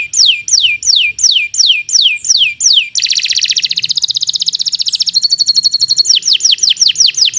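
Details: Canary song: evenly spaced sweeping downslurred whistles about every third of a second, switching into a harsh, dense trill, then a thin high trill, and back to swooping whistles.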